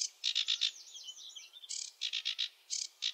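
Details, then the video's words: More distant sedge warbler song, groups of rapid buzzy chattering notes with a brief sweeter warbled passage, set against a soft background hiss. "Sedge warbler song (Acrocephalus schoenobaenus) the warbler rapper"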